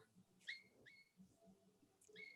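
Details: A pet cockatiel in a home gives three short, clear whistled notes, each sliding up then holding steady, spaced less than a second apart, over a faint low murmur of room noise.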